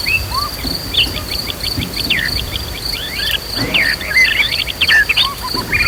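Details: White-rumped shama in agitated, emotional song used to provoke other birds to fight and sing, with nature sounds and a flowing river: rapid run of sharp whistled and looping notes, over a steady high insect drone and rushing water.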